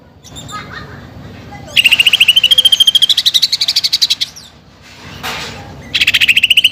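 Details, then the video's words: Greater green leafbird singing vigorously, with song material that includes fighting-sparrow and woodpecker phrases; loud, rapid rattling series of sharp notes that rise slightly in pitch, broken by a short buzzy burst, then the rattle resumes. "CUCAK IJO GACOR FULL ISIAN TEMBAKAN GEREJA TARUNG DAN PELATUK BAWANG"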